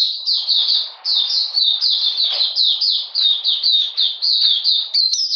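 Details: Cold rainy weather, 13 June 2020; an Oriental magpie-robin pours out a brisk series of clear whistled notes dropping in pitch, repeated many times, ending on a sharper upward note.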